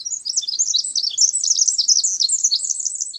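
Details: Pacific Wren singing a continuous, very high, rapid jumble of tinkling notes and trills, bright and unbroken throughout, with a clean quiet background.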